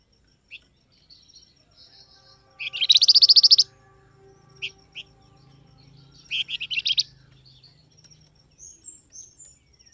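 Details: Flamboyan bird call for making wild birds call back. One loud rapid rattling trill, then a shorter burst and a few sharp chirps, over a faint low steady hum.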